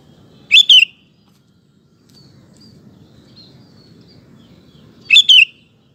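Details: Sooty-headed bulbul song meant to make other males sing: two brisk phrases of a few rolling whistled notes, roughly four and a half seconds apart, with steady low rumbling background noise between.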